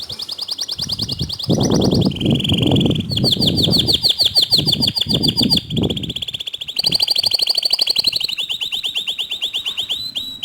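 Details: Canary song used as a training recording to prompt other canaries to sing: long rapid trills at a steady high pitch, switching between roll types every second or two, with a low rumbling noise under the first half.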